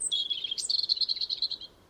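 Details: European robin (Erithacus rubecula) song, one short watery, trickling verse of thin high notes shifting between higher and lower phrases: a high opening, rapid pulsed notes and a bright flourish, quiet background.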